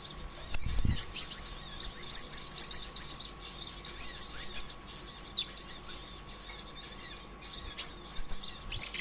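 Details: Energetic sunbird song for stimulating other birds to sing: long rapid sequences of high squeaky twitters and clicks, a short thump near the start, steady hum in the background.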